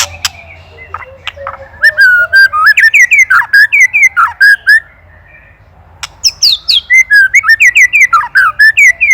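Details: Master shama song from Indonesia for training songbirds: varied whistled phrases with buzzy overtones, a brief quiet pause, then an energetic burst of rapid whistles and chattering notes.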